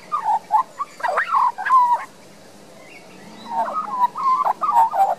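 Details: Young Australian magpie resident in a garden in Queensland, Australia, recorded with a Panasonic Lumix LX7 camera, singing two bursts of rich warbled, fluting phrases with a quiet pause between them.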